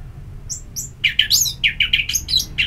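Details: Orange-headed thrush in ngeplong-style therapy song, played to stimulate kept birds to sing: thin high whistles at first, then a quick run of varied chirps and slurred notes at a lively pace.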